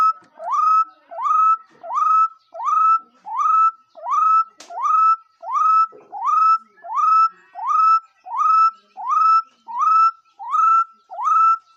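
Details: Bird repeating a strong upslurred whistle ending in a held note, about fifteen times at a very even pace. Quiet room background and one brief click partway through.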